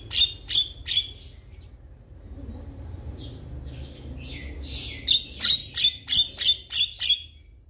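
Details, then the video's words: Male Javan myna calling to other mynas with loud, harsh clipped notes, three in quick succession, a pause with soft squeaks, then a run of about seven evenly spaced notes. "Jalak Kebo Jantan Memanggil KAwan Jalak Yang Dengar Langsung Respon"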